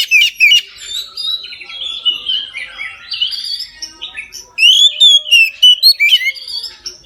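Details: An Oriental magpie-robin sings openly at midday, a recording for coaxing other magpie-robins to sing: varied loud whistles, slurs and chattering trills in rapid bursts, softening in the middle before strong whistled phrases return.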